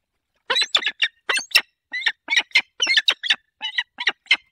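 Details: Peregrine falcon calling at nest changeover at 15:36, Barycz Valley, Poland, 10 April 2021: harsh, grating notes in a rapid series, two to three a second, with a quiet background.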